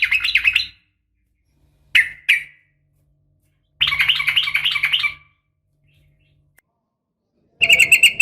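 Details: Calling female yellow-vented bulbul: short bursts of scratchy chatter separated by silences, including two isolated chirps and a longer rattling run of rapid notes, over a slight low hum.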